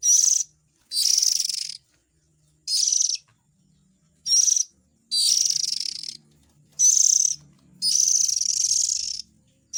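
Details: Young Oriental magpie-robins calling, used as a lure for adult birds: repeated harsh, breathy rasps, some short and some drawn out over a second, with a soft low rumble underneath.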